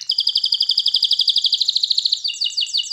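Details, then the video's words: Canary training song: a loud steady trill of sharp repeated notes about twelve per second, shifting into slower downslurred notes at the end. "Canary Singing Birds Sounds at its best Melodies Canary Bird song Training"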